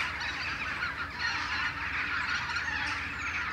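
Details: Western jackdaws in a morning flock back from their roosting trees: a loud, continuous mass of overlapping sharp, chattering calls with no pauses, over faint low rumble.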